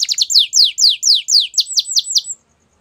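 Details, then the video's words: In the morning a wild Atlantic canary delivers a series of clear, falling whistled sweeps in quick succession, roughly four each second, stopping suddenly partway through, followed by quiet. "Wild Canary Singing In The Morning"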